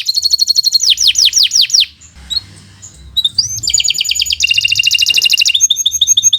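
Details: Canary song used as a master recording for training other birds: fast repeated descending whistled notes, then a brief pause, followed by rapid buzzy trills and high chattering phrases, loud and continuous.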